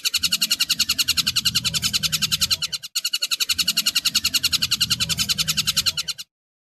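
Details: Tengkek buto kingfisher used as a training recording for cendet birds: a fast, grating, evenly spaced rattle in two runs with a brief break, ending in silence.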